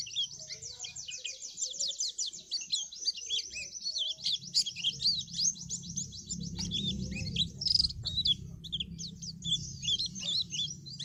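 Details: White-eye singing while moulting: a dense, continuous high chattering twitter of rapid sweeps and chirps for the whole eleven seconds, with a low background rumble.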